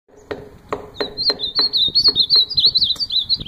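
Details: Ultramarine grosbeak song: a continuous warbled run of sweet whistled notes, wavering up and down at a high pitch and gradually falling, over regular low knocking clicks about three per second.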